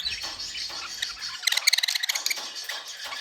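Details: Budgerigars, described as happy and playing, chirping high and busy, with a quick burst of rapid repeated sharp notes in the middle of the stretch.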